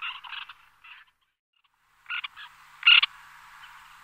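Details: Few scattered harsh, rasping calls from a small flock of white-winged terns in flight, separated by a near-silent pause, ending with one loud grating note.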